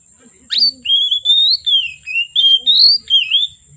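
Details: Oriental magpie-robin singing from afternoon into the night: a sharp upswept note, then a long flowing sequence of whistled phrases that rise, dip and waver, over a steady high-pitched whine.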